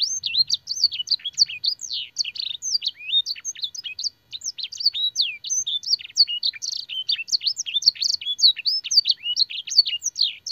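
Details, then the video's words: Canary singing a training song imitating blackthroat and sanger birds: fast, unbroken high warbling with rapid chirps, trills and bright whistled phrases throughout, no other sounds. "burung kenari gacor isian blackthroat dan sanger - suara masteran burung kenari"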